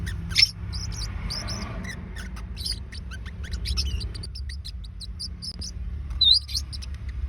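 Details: Two pet Forpus parrotlets kept at home, calls meant for luring back a lost bird: short high chirps in quick irregular bursts, a sharper squeak near the end, over a steady low rumble of background noise.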